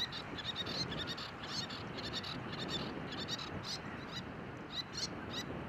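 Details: Little tern (Sternula albifrons) at Rålehamn near Torekov, Sweden, early May 2012, fishing by plunge-diving, gives high, sharp chattering notes in quick repeated bursts over steady wind and surf.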